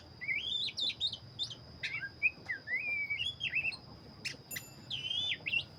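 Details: Oriental magpie-robin of the black-breasted type singing energetically: a dense, continuous stream of warbled whistles, wavering slurs and abrupt high chips, with a constant high whine in the background.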